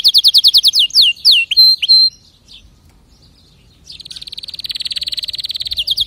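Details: Canary sings fast repeated high notes, then slurred downward sweeps and a flat whistle, pauses for about two seconds, then resumes with a long, even, rattling trill ending in sweeping notes.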